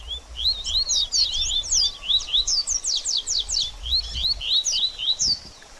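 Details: Baderninha song of a double-collared seedeater, meant to rouse a bird after moulting: an almost unbroken run of fast, high twittering notes mixing upward slurs and steep descending strokes, pulsing steadily for nearly six seconds.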